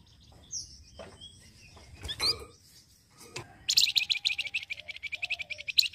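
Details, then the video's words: Flamboyan bird, whose chattering voice serves for luring birds, producing a fast string of harsh, buzzy, high chirps in the latter half, preceded by scattered clicks, a short whistle and thumping handling noises. "FLAMBOYAN YANG RECEH BUNYI..BAGUS UNTUK PIKAT BUNYI AGAR CEPAT RESPON"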